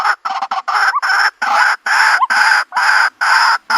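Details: White-breasted waterhen calling, the sound used in the country to lure birds into a trap: long, loud, grating blocks of noise broken by brief gaps, with an occasional short hooked note.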